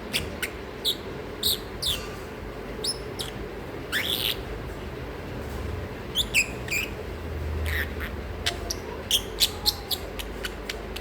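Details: A sleepy, noisy pet masked lovebird indoors, making brief high chirps and harsher squawks in loose bursts, some clustered in quick pairs, over a steady low background hum.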